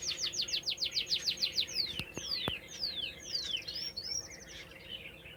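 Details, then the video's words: Canary singing outdoors in nature: a fast trill of repeated high descending whistled sweeps, then slower downslurred notes and softer twittering phrases, with a few sharp clicks midway and faint background hiss. "صوت كنار رهيب في الطبيعة"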